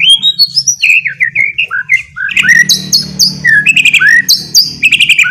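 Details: White-rumped shama ngeriwik song used as a lure: a stepped series of short whistles dropping in pitch, then rich, loud warbled phrases mixing high slurs and lower buzzy notes.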